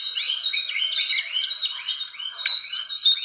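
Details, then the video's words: Lure recording of a fantail: thin, clear whistled notes, many sliding upward and some dropping, strung together in a quick, uneven, continuous phrase with no other noise. "SUARA PIKAT BURUNG KIPASAN SIKATAN"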